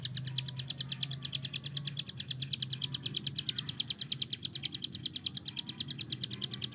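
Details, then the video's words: Tutor hill prinia kept to train other songbirds, singing its burst-like 'tembakan' song: nearly seven seconds of relentless, evenly spaced high staccato notes, quick as gunfire, above a low background drone. "CIBLEK GUNUNG || Melatih Speed dan Tembak Burung Gacoan"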